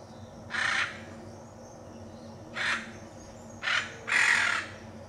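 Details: Rough, croaking squawks of a hyacinth macaw, Pantanal, Brazil: two isolated calls, then a quick pair near the end, the final one drawn out and harsh, over a soft background hum.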